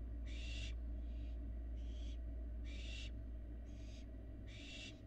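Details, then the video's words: Outside their nest box in Florida, Barn owl fledglings give six rough hissing screeches, regularly spaced, about one every 0.8 seconds, over a steady low hum. "Barn owl fledglings are very active outside the box"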